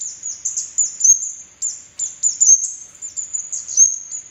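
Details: Red-headed kemade lure song, played to prompt silent or young kemade birds to sing; rapid very high chirps and short sliding whistles repeat in quick, uneven bursts, with a few faint low clicks.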